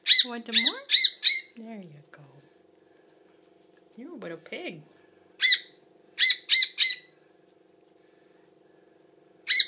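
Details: Hand-fed baby bird begging while a person talks softly: bursts of three or four shrill rapid chirps separated by pauses and low speech.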